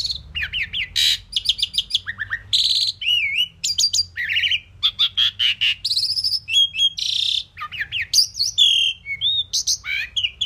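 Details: Indian pied myna presented as a talking bird saying "mynah" and more; continuous jumble of harsh squawks, rising and falling whistles and buzzy harmonic notes, loud and packed closely together.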